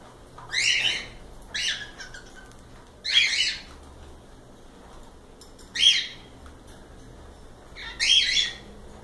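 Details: Several cockatiels give five harsh, screechy calls spaced about two seconds apart, each a short rasping burst, with a quiet background between them.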